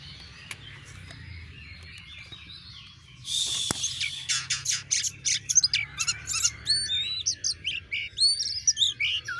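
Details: Oriental magpie-robin, a kacer in narung style used to provoke rival birds into answering, begins after three seconds of quiet with a loud burst of varied sharp whistles, buzzy notes and rising slurs repeated in quick succession.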